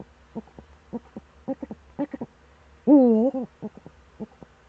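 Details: Eurasian eagle-owl in the Eifel, recorded on 26 September 2013 in the early morning: a series of short, clipped hoarse notes, then one loud wavering nasal call at about three seconds, followed by more short notes.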